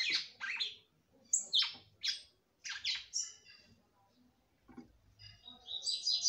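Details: Red-cowled cardinal female singing for the male: short falling slurred notes and chips in quick groups, a quiet stretch, then a rising high buzzy trill.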